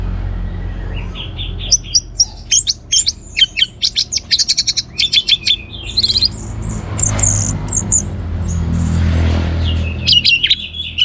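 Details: Active orange-headed thrush song, used to provoke other birds into singing: a rapid stream of sharp high clicks and chips with varied whistled fragments, a quieter stretch of low rumble, then more high chirps.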